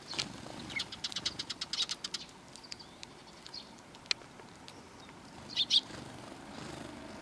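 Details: Sparrows coming for food on a shrine's front approach on 12 April 2020: a rapid series of high chirps that slows and softens, then two louder chirps near the end.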